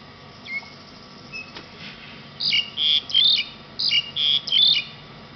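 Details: Black-collared starling happily singing after rain at the Military Academy, Nakhon Nayok, Thailand, on 18 July 2009: two loud, quick bursts of mixed whistles and harsh, grating notes after faint thin whistles; steady background hiss.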